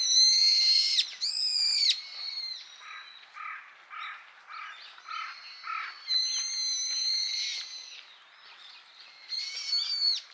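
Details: Several brown-eared bulbuls, visiting blooming Harumeki cherry trees for nectar in spring in Minami-Ashigara, Kanagawa, Japan, give loud, shrill, squealing notes that slur downward, broken by a quick run of short, lower chattering notes.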